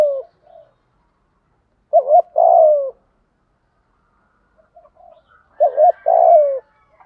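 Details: Provoking coos of a spotted dove for training decoys. Two phrases, each a quick double note and a longer descending burry coo, separated by a quiet stretch with soft faint notes; a faint higher sound overlaps the last phrase.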